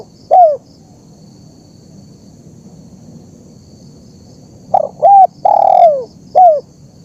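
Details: Spotted dove recording for training captive birds and luring wild doves: one short coo, a pause of several seconds, then a rapid stutter, a rounded note, a long falling coo and a last short coo, over a thin insect hum.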